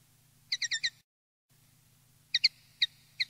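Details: Common linnet on a tutoring CD for young linnets: short bursts of doubled twittering chips separated by a silent gap, over a quiet low hum.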